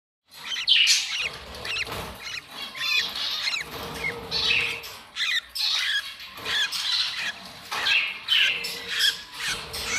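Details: A pair of budgerigars sharing affection chatter with busy, scratchy chirps and warbles, the sounds overlapping almost without pause.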